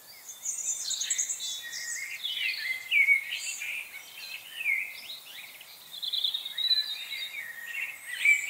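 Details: Several chickadees calling at once on November 25, 2020: a thick mix of high thin chirps, sliding whistles and buzzy phrases, swelling in waves of activity.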